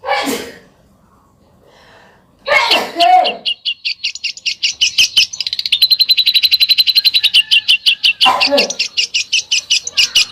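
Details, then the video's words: A bird singing besetan, a sharp Indonesian song style. After a rough noisy burst, a long, fast, high trill of rapidly repeated sharp notes builds, holds steady and runs on, broken briefly by another rough burst. "SUARA BURUNG BESETAN"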